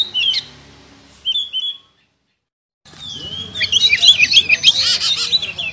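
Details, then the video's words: Contest-winning oriental magpie-robin (kacer) giving two short whistled notes, then a pause of silence, followed by a fast, dense run of chattering and whistled notes with a noisy background. "Kacer Jawara Pernah Prestasi"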